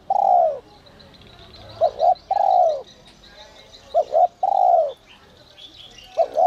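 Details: Whistle-voice spotted dove calling to stir up wild doves: a long falling coo, then twice more a clipped double note leading into a drawn-out coo, with light high twittering in the background.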